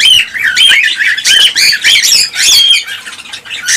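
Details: Cockatiel chorus meant to encourage pairing and breeding, loud and unbroken, with sharp rising whistled notes and squawky chirps overlapping, repeated roughly twice a second.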